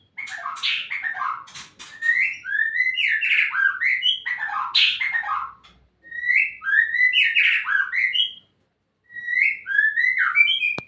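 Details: Captive white-rumped shama in a polygamous breeding setup, pouring out a rich varied song of sweet whistled notes, buzzy trills and sharp chirps in phrases about two seconds long, repeated with short pauses.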